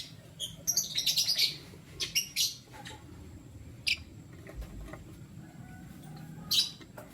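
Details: Lutino lovebirds, one male among two females, open with a rapid run of sharp, scratchy chirps, then give a few isolated high peeps, with faint room noise beneath.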